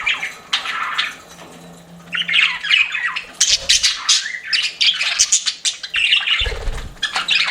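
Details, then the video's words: Pet budgerigars chirping indoors, described as flirting: bursts of harsh, buzzy warbles and squawky chatter with quick scratchy notes, brief pauses between phrases, and a few low thumps. "CUTE PET BUDGIES CHIRPING"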